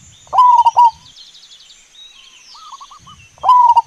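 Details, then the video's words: Local zebra dove recorded in the wild, used as a lure: short bursts of clear, staccato cooing notes with a softer phrase between them, over a faint high insect hum. "Perkutut Lokal GACOR di ALAM LIAR"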